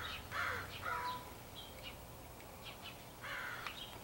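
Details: Crows from a large extended group, thought to be picking mates, recorded 4 April 2015; a few harsh, hoarse caws in a quick cluster, a quiet pause with faint distant calls, then another burst of caws near the end.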